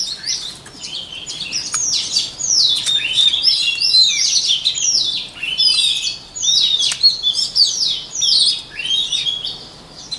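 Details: Shama training song: long, lively sequence of loud descending slurred whistles and twittering phrases, delivered in waves roughly every second, varied and musical throughout.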